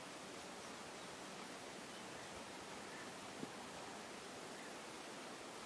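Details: Quiet, steady hiss with one tiny click near the middle, and no animal voice.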